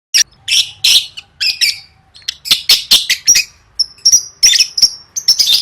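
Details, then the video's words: Lovebird singing for competition training: rapid bursts of harsh, broadband chirps and squeaky notes with short high whistles, delivered in quick irregular series. "Suara Burung Lovebird III Latihan Gacor Gantang Siap Juara"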